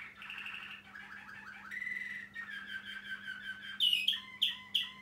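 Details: A male Waterslager Malinois canary over one year old sings continuous rolling trills and warbled tours that change every second or so, ending in brighter, sharper whistled notes, over a faint steady electrical hum.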